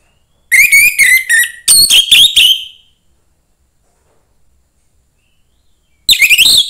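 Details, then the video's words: Young forest orange-headed thrush delivering two quick runs of whistled notes back to back, a long silent gap, then another burst of high, wavering whistles. "suara anis merah MUDA HUTAN"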